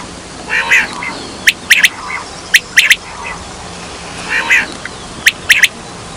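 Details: Quail calls played for hunting: crisp, high, snapping notes in twos and threes, with softer rasping bursts between them and a steady background hiss.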